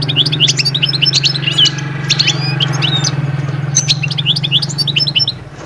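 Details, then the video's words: Goldfinch song used to push birds out of moult calm toward summer mating fervour; dense, high tinkling twitters and chirps over a loud, steady low mechanical hum. "أخرج حسون من هدوء غيار الريش ألي هيجان الصيف فورا"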